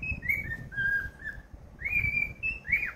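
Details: A singing cockatiel, happy and kept as a pet, runs through a chain of steady whistled notes, then a long rising whistle and a curling final note.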